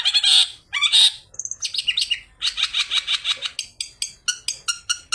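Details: Lure recording of a long-tailed shrike singing a rich, aggressive song of imitated calls, including fighting sparrows: loud scratchy bursts, a long rattling chatter, then even rows of short sharp chips.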